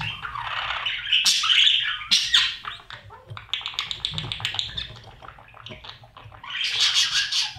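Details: Budgerigar chicks in a nest box being fed by their parents; bursts of harsh, hissing squawks followed by a quick stuttering run of short clicks and chirps, then another raspy burst.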